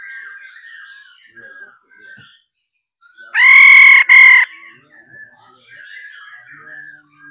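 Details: Amid faint background warbling, a female laughingthrush bursts out with two loud, harsh nasal notes, the 'ro' call used to prompt males into song.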